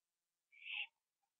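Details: Owl eating a gopher on a porch late at night, 21 September 2011, before joining another owl in a tree; one drawn-out rasping screech lasting under half a second, then quiet.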